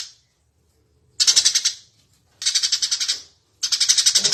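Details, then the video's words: Eurasian tree sparrow (burung gereja) singing vigorously, a master recording for training birds to sing: three bursts of rapid, harsh, high chirps, each burst about eight notes and under a second long, separated by short silences. "suara burung gereja gacor"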